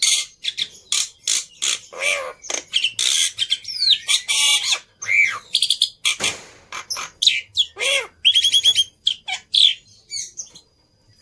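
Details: Black-winged myna singing prolifically as a lure recording to draw other birds into song: a varied jumble of harsh rasping bursts, squawks and slurred whistles, with a quick trilled phrase near the end.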